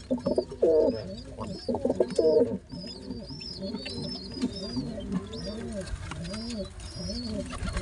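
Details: Father pigeon feeding two baby pigeons at the same time indoors: deep rounded coos repeat about every second beneath thin high squeaky whistles from the young, with a louder flurry of throaty sounds near the start.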